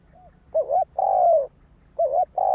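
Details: Spotted dove calling repeatedly: a faint soft note, then a rolling double coo followed by a long drawn coo, and a second phrase starting at the end.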